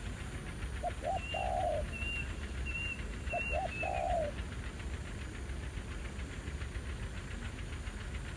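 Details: Spotted dove calling while being trapped with a ground decoy: two phrases about two and a half seconds apart. Each has two quick hoots and then a long coo that falls slightly at the end. High whistles from another bird come between them.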